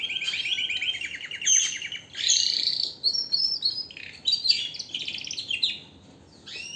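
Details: Canary in strong song, delivering bursts of rapid trills and sharp high whistled notes separated by brief pauses, ending on a rising phrase after a short quiet gap.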